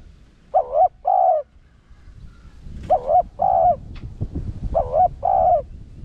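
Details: Spotted dove in the Rặc Đồng voice cooing insistently to lure wild doves: three two-note coos about every two seconds, each a dipping note then a longer steady one, with some faint knocks and clicks between.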